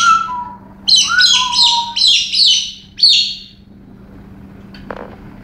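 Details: Female pet galah going wild in a one-off excited fit among other birds: a few soft whistled notes, then five rasping, high screeches about one every half second, then quiet with a single click.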